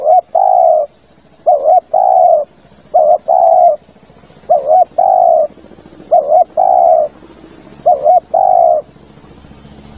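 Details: Spotted dove lure call, meant for use while hunting from a hide: low, mellow coos in paired phrases, a quick doubled note then a longer drawn-out coo, repeated roughly every one and a half seconds over a faint steady hiss.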